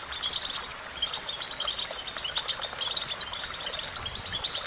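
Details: Goldfinch singing for training purposes: quick bursts of bright, high chirps and trills, spaced unevenly, over constant soft hiss.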